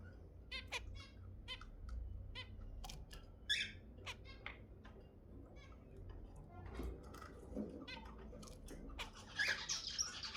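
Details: Zebra finch sounds for stimulating mating: a run of short, nasal, harmonic beeps spaced about half a second apart, ending in a burst of squeaky chatter, over low room hum.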